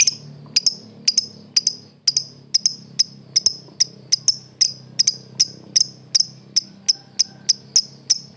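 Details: Lovebird, a world-champion competition bird, giving sharp, very high chips that sweep downward, repeated about two to three times a second at an even pace, with a faint low hum underneath.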